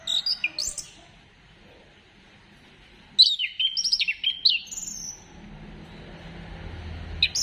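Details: Varied song of an orange-headed thrush, offered as a trigger for birds to sing. A short phrase opens, then after a quiet stretch a lively string of whistled, mimic-like notes, with faint low hum behind.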